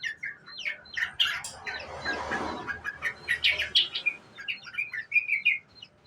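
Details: Sooty-headed bulbul, a young bird, in ngriwik-style song used as a lure: lively chirps and short slurred whistles in uneven bursts, with a brief rushing noise near the two-second mark.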